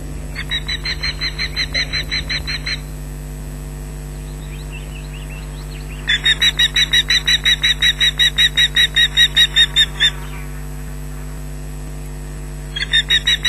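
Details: Osprey on its nest at Loch Garten, 19 June 2012, 13:07, going wild at an approaching intruder while mantling; bursts of fast, regular shrill shrieks separated by quieter gaps, with a chick joining in and a constant low hum throughout.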